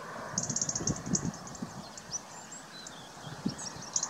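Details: Black redstart (Phoenicurus ochruros), call.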